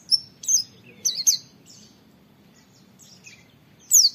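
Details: Oriental white-eye wit wit training recording: scattered high thin whistled notes, softer and irregular, with a quiet gap before a final loud downward-sweeping note.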